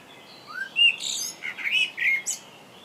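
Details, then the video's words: Common blackbird (Turdus merula) in England sings a short phrase of mellow, fluty warbled notes rising in pitch, ending in a thin, squeaky high twitter. "Blackbird singing"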